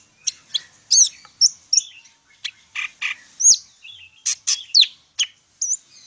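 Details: Medan greater green leafbird singing a full, varied song: separated sharp whistles, quick upslurred and downslurred notes and short buzzy bursts, spaced with brief pauses, delivered loudly and clearly.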